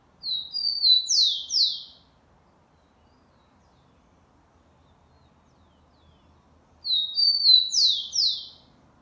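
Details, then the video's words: Rufous-collared sparrow singing one of its varied songs in the Xavante style, recorded 4 October 2020, an assertive melody: two high whistled phrases opening with clear notes and ending in descending slurred trills, separated by about five seconds of quiet. "Tico Tico Xavante cantando muito com um dos seus variados cantos."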